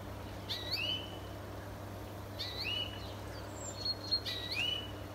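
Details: European greenfinch in a neighbour's garden giving three wheezy, upslurred buzzing notes about two seconds apart, with faint high ticks between them and a low steady hum behind.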